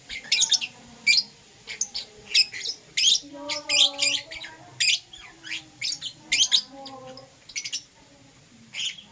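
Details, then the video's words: Morning chirping of Euwing Green Opaline and Lutino lovebirds, rapid shrill squeaky chirps in quick irregular runs, with faint lower whistling tones running underneath. "Lovebird Chirping Sounds - Euwing Green Opaline & Lutino"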